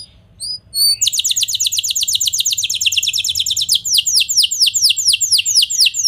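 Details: A few soft high chips open, then a canary bursts into dense rapid trilling that slows into longer descending whistles; song played to make other canaries answer and sing.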